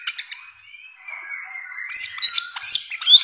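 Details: Bare-throated whistler (samyong) masteran song: a few quick clicks, then a long, level, drawn-out whistle that slowly falls, breaking into bright high trilled whistles and chattering notes.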